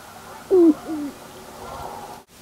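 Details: Sharp-tailed grouse at a lek in Carlton County, Minnesota, April, with snow on the ground, displaying males dancing: two low, hollow cooing hoots slurring downward, close together, then a softer, muffled note over faint background hiss.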